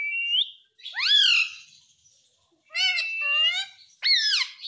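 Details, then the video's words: Ring-necked parakeet talking as a pet: short rising whistle, then a long harmonic sweeping call, a pause, and a pair of falling voice-like syllables followed by another sweeping call. "Cute Ringneck Parrot Talking Mummy Mummy"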